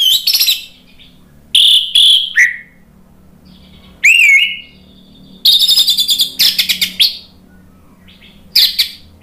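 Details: Provocation song of the Orange-headed thrush, played in Indonesia to spur a stuck bird into singing: separate phrases of harsh chatter, a clear upswept whistle, then fast trilled and rattling bursts, with quiet gaps and soft hum between.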